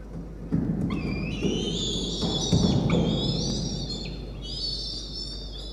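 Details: Peregrine falcon chick, still hungry shortly after a feeding, nibbling its mother's talons and beak; harsh drawn-out wailing cries, several overlapping strained notes with rising and falling pitch, over low rumbling background noise.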